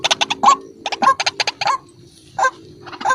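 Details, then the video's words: Lure recording of a white-breasted waterhen: clusters of short, rasping croaks, several in quick succession, separated by a brief quiet gap before a few more notes. "BURUNG RUAK RUAK GACOR || SUARA PIKAT RUAK RUAK"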